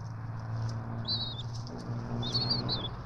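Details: Two bald eagle chicks at the ETSU nest in Johnson City, watched by a nest camera during a feeding on 12 March 2024; two brief, thin, wavering high squeals over a steady low hum.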